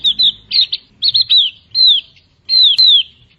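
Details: Javan grey-throated white-eye in full voice, giving clipped doubled whistles and longer downward-slurred high notes in quick bursts, roughly two per second, over a quiet low hum.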